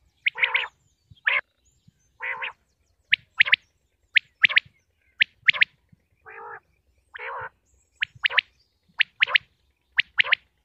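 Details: Common quail from Pakistan, linked to hunting: sharp clipped notes in pairs and triplets around the upper-middle range, mixed with lower, broader nasal bursts, repeated about once a second against a quiet background.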